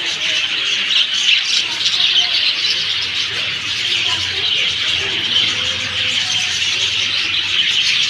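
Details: Steady, busy twittering from a crowd of birds, high and unbroken, with scattered sharper chirps rising above the mass and a soft low rumble behind.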